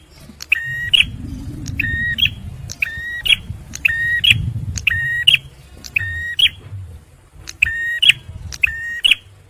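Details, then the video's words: Steadily repeated song of a male bar-winged prinia for luring and prompting stressed birds: tick, level whistle, abrupt upturned note, about once per second, with a low rumble swelling in the background. "TEMBAKAN PRENJAK MERAH JANTAN || CIBLEK SUPER GACOR"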